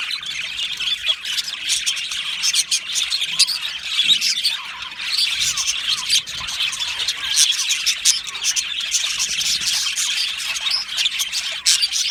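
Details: Australian budgerigars chirping and singing together in an aviary colony; constant high warbling chatter with squawks and clicks, layered voices rising and falling over twelve seconds.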